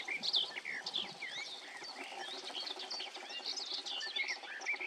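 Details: A loudly singing garden warbler by the water north of Tiengemeten (Het Vuile Gat) pours out a long, fast, mellow morning song of rich fluty notes without pause, amid faint other birdsong.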